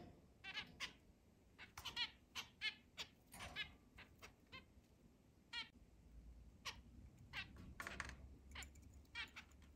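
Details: Captive zebra finches, a group of eight kept in a large cage and let out to fly around the house, recorded 10 July 2022: scattered short nasal harmonic beeps, quiet, irregular, over a low hum.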